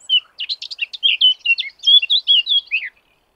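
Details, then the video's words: Eurasian blackcap singing a rich, rapid, rhythmic warble of high chirps breaking into clearer fluting whistles, about three seconds long, with no other sounds. "LE CHANT DE LA FAUVETTE À TÊTE NOIRE / BLACKCAP SINGING"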